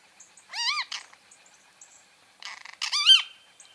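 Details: Great kiskadee (Pitangus sulphuratus) giving two loud, harsh, ringing phrases, each a short burst followed by a rich arched note that rises then falls, separated by a pause of nearly two seconds in a quiet setting.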